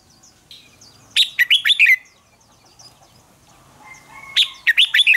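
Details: Red-whiskered bulbul giving contest song meant to stir other bulbuls into fierce singing: two bright, rapid phrases of five or six sharply bending whistled notes, separated by a pause of about two and a half seconds, with faint background chirps.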